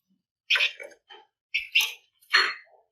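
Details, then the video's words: Flamboyan bird singing in a dense, energetic style meant to encourage other birds, with three harsh, chattering bursts and softer notes between them. "Pancingan Burung Flamboyan Gacor Ngebren Rapat"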